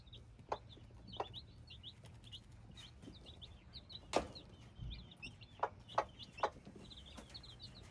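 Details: Thin high cheeps from hybrid chicks run throughout, mixed with repeated sharp clicks and a thump near the middle.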